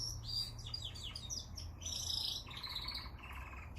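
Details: Canary song: quick run of high, downslurred chirps followed by a dense buzzy rattle and a lower rolling trill, all within a few seconds.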